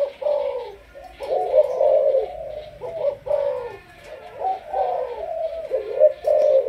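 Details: 'Sấm thổ' voiced Malaysian spotted dove, a decoy bird, calling with clear low cooing phrases of several linked notes, repeated after brief pauses.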